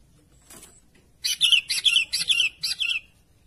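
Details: Sooty-headed bulbul calling to its companions: a quick run of bright, buzzy chirps, about six notes close together, following a faint thin whistle.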